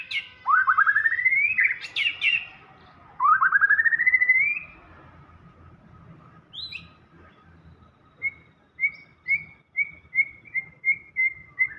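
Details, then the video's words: White-rumped shama delivering full isian gacor song: two strong upward-sweeping rattling trills, a high slurred whistle, then a series of about eight short clear whistled notes repeated evenly every half second. "Murai batu gacor full isian"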